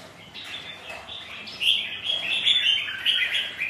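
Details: Red-whiskered bulbuls sparring as rivals in wind and rain: soft scattered chirps open, then from halfway a loud, rich run of bubbling whistled notes continues with small gaps to the end.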